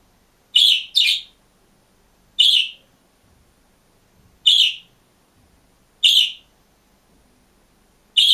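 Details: Lone caged budgerigar giving sharp, bright chirps, sometimes in pairs and sometimes singly, separated by pauses of one to two seconds of silence.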